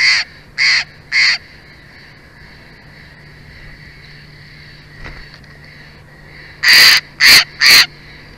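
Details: Bald eagle at a Big Bear Valley nest. Three high, clipped piping notes come quickly, then a quiet pause of about five seconds, then three louder, sharper notes. A low steady hum continues underneath.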